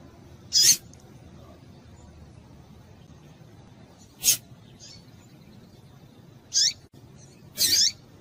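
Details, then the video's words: Rusty-collared seedeater female calls meant to set males singing: four short, high, bright chirps spread over eight seconds, a few dropping in pitch, with a faint soft note between them and steady quiet hiss. "Piado de Fêmea de Papa capim Vai deixar Seu Papa capim Cantando"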